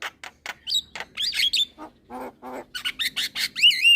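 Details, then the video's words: Young Javan myna chattering energetically while nodding: rapid clicks, looping whistles, low croaking gurgles and raspy bursts, ending in a loud rising-and-falling whistled phrase. "Burung Jalak Kebo Muda Gacor Manggut - Manggut"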